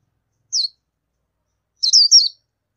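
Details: Oriental white-eye giving one short, high, thin downslurred note, then after a pause a brief rolling twitter of a few wavering high notes.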